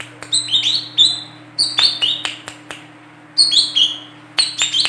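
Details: Calls of a female olive-backed sunbird, used as a lure for catching birds: clusters of three to four piercing, high notes, each dropping in pitch, repeated roughly every second and a half over a constant low hum.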